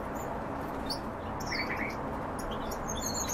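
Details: European bee-eaters at feeding time: a short rolling, burry trill of several quick notes in the middle of the clip, faint over steady broadband background noise, with scattered thin high chirps.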